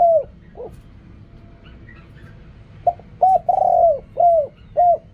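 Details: Spotted dove's quick riak kham coos. Two short rising and falling notes, a pause, then a burst of five coos with one drawn-out. Faint high chirps during the pause.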